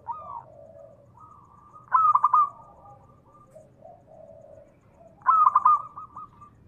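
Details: Local zebra dove singing as a lure for other doves. Two loud rapid cooing bursts about three seconds apart, with softer, lower warbling coos between them.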